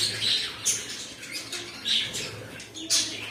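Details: Pet cockatiels calling: short, bright chirps in several bursts spread across the few seconds, some sharper and more piercing than others, with a faint low hum underneath.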